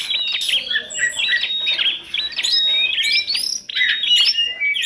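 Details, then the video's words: Compilation of kacer, tledekan gunung and prenjak singing, used for training birds: many overlapping bright whistled notes and quick chattering trills packed tightly together, with sharp upslurs and steady, lively calling throughout. "kompilasi kacer,tledekan gunung dan prenjak,gacor dor"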